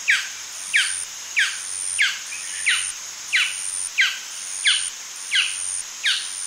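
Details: Yapping calls from a male Golden Dove, ten short falling yelps evenly spaced about two-thirds of a second apart, with a constant thin high whine running throughout.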